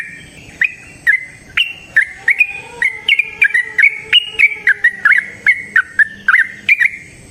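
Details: Trucukan, the Yellow-vented bulbul, in a lure song for prompting other birds to sing. Spaced, bright whistled notes speed up into a quick bouncing series, each note sliding, over a faint steady low tone.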